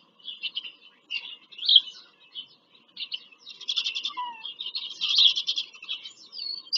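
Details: Bald eagles visiting their nest in Pennsylvania farm country, 5 February 2023, picked up by a live nest camera: high squeaky chirps, then rapid staccato chittering series, with a few lower descending whistles.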